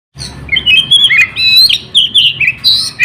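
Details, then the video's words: White-rumped shama, a caged songbird in continuous, nonstop song used as a lure for other birds: rapid run of whistled and warbled phrases between mid and high pitch, with sharp metallic notes and steady low background hum. "BURUNG KACER GACOR KONSLEET, Teler kaga bisa berhenti. Cocok Buat Pancingan Burung Lain"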